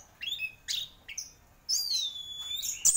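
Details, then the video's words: Anis merah, or orange-headed thrush, praised as a prize-winning singer, giving a few clipped chirps and then a long clear whistled note that drops slightly in pitch. "Burung Anis Merah Gacor Juara"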